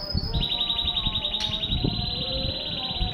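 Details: Canary singing, recorded in Banda Aceh; a long rapid trill of repeated high notes held steady for nearly three seconds over loud low background rumble and clatter.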